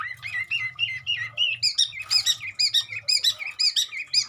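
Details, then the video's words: Long-tailed shrike singing mimicry of many birds, a quick, continuous series of bright whistled upslurs and stacked chirping notes, repeated about twice per second with a faint low hum beneath. "Burung cendet gacor isian burung sekebun"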